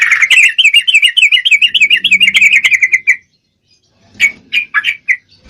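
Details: Female trucuk (yellow-vented bulbul) in breeding condition calling to a male: a fast run of chattering, warbled notes for about three seconds, then a pause and a few shorter chirpy bursts.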